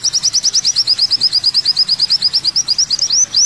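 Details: Rapid repeated high notes from an olive-backed sunbird, about three a second, evenly paced and bright. They finish with two louder, rising, curled chirps.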